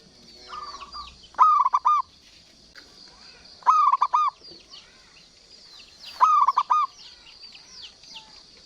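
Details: Zebra dove of local stock in strong song, delivering three matching phrases of short staccato coos about every two and a half seconds, preceded by a quiet rolling coo. Other birds twitter high and thin behind.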